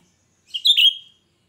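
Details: Cucak rante in lively full song, used as a lure for other birds: one shrill, piercing whistled phrase of two bright notes, the second sliding down and then trailing off level, in otherwise quiet surroundings.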